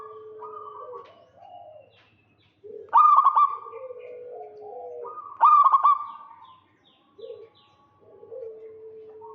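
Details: Zebra dove of local stock calling to draw in a rival, giving rolling trilled coos about every two and a half seconds, followed by softer lower, stepped coo notes.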